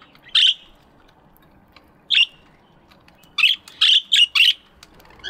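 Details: Morning aviary budgerigars: a lone loud chirp, another after a pause, then a rapid run of four sharp, scratchy chirps and the start of a fifth.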